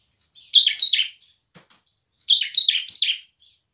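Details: Bar-winged prinia, a vigorous singer used to coax lazy birds into song; two bursts of loud, rasping, downward-stepping chirps, about three notes each, with a faint click between.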